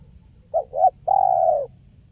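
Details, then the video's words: Single phrase from a spotted dove in 'kuk 1' style, played as a trapping lure: two brief hooting notes, the second slightly rising, then a sustained coo that sags at the end; soft hum underneath. "SUARA JERNIH BURUNG TEKUKUR KUK 1 GACOR"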